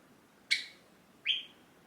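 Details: A tame caged Java sparrow calls for its owner, who is rising from a seat. Two clear, ringing chirps come about three quarters of a second apart, each with a quick sliding tail, against a quiet indoor background.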